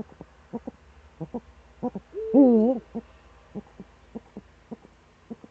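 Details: Eurasian eagle-owl in the Eifel, morning of 26 September 2013: regularly spaced short croaking notes around a single loud drawn-out wavering call near the middle, followed by further clipped notes.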